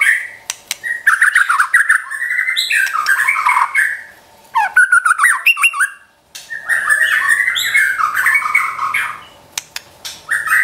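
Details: White-rumped shama song for provoking and training a kept bird: long rich stretches of varied warbling and harsh notes, broken by two short pauses, sharp clicks scattered through.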